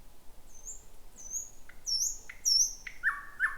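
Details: Thrush nightingale singing around midnight in 2026 in a dense thicket: drawn-out high whistles alternating with short lower notes that build into loud emphatic chirps toward the end.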